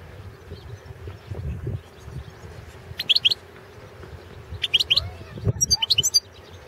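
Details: Competition recording from the 2016 world goldfinch song championship, held online under Serbian association rules, of the Balkan subspecies Carduelis carduelis balcanica: three clipped bursts of paired high chirping notes with rapid twittering, over soft low background rumble.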